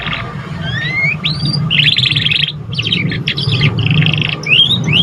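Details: Juvenile canary practising its first song, meant to prompt other canaries: rising whistled notes, then rapid buzzy rattling trills and sharp upslurred chirps, with a constant low background hum.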